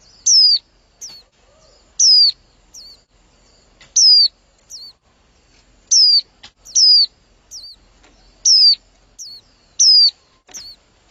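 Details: A calling white-eye female, stimulating a male, repeats sharp, high, down-slurring whistles about every one to two seconds, seven loud notes in all, with short hooked chirps trailing most of them.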